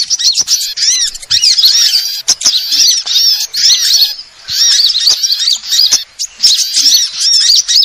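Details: Lure recording of many kinds of sunbirds: a dense, continuous chorus of high, thin twittering and rapid rising-falling chirps overlapping without pause, broken by sharp clicks.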